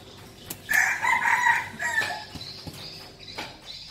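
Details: Hoarse, broken crow of a red junglefowl used as a decoy, over about a second, amid steady background noise and a few sharp knocks.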